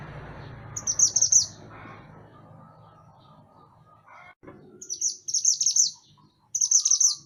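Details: A mountain songbird (mantenan gunung) in full song, used as a master recording to train songbirds, gives high, thin bursts of rapid chattering trills, each about a second long, in three bouts. Low rumbling background noise fades early on.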